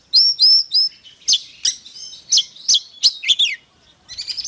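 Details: An oriental magpie-robin gives a loud morning fighting song of varied, sweeping whistles and sharp, fast notes.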